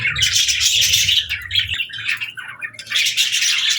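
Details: Budgerigars chirping, played as happy, relaxing company for pet parakeets: dense overlapping high chattering and warbled twitters from several birds, busy and continuous with brief lulls.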